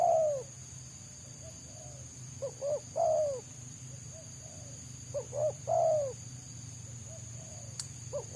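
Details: Wild spotted dove ignoring a trapper's lure, singing quick, dense selang nguku phrases. Each phrase holds two short coos and a long falling coo, repeated roughly every 2.5 seconds, with a continuous high whine and a brief click.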